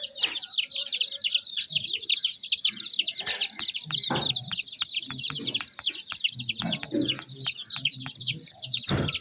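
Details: A crowd of baby chicks chirping nonstop: high, quick, slurred peeps packed densely together, plus sharp clicks and a few dull thumps.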